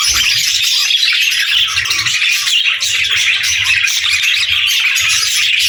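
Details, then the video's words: Many pet budgerigars chirping together in a dense, continuous chatter of quick warbled notes, steady and busy without pause, with faint low thumps beneath. "Budgies Chirping Sounds"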